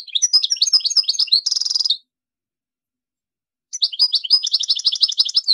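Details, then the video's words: European goldfinch singing a rapid twittering phrase that ends in a harsh buzzy trill, then falls silent before another fast, chattering phrase begins. "اروع تغريد الحسون - Meilleur Chant Chardonneret"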